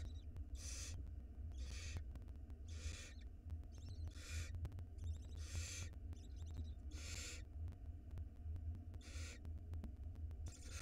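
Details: Barn owl nestling at a nest box camera in Israel, spring 2022, during feeding on a mouse; rasping hissed screeches recurring roughly every second or so, some with a buzzy texture, above a steady low drone.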